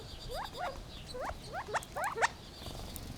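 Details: ["Gambel's quail giving a quick series of upslurred, rising chip-like notes, about six in three seconds, irregularly spaced, over a soft background hiss."]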